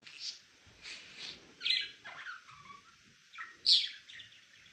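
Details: A pet male budgerigar chirping: bursts of bright, scratchy high chatter with short rests, two louder sharp squeaks standing out near the middle and end.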